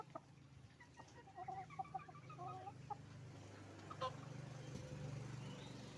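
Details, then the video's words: Roosters and hens at a chicken farm: a string of soft clucks and short calls over a strong low machinery drone, with a sharper squawk near the middle. "Moment of the sound of a chicken farm, roosters and hens making noise"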